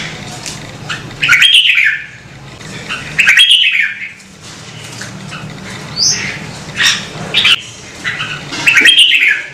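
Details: Red-whiskered bulbul from Vietnam singing short, bright warbled phrases in bursts about every two seconds, each a quick tumble of rising and falling notes, separated by quiet pauses with a faint low hum.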